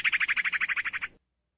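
A female sirtu calls the male with a fast, even series of about a dozen bright chattering notes, roughly ten a second, that then stop abruptly.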